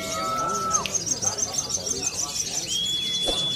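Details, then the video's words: Caged Sunda leafbird trained with a ciblek (prinia) song fill-in, singing clear steady whistled notes, one lower and one higher held tone, over busy high twittering, with talking in the background. "SOGON MATERI CIBLEK"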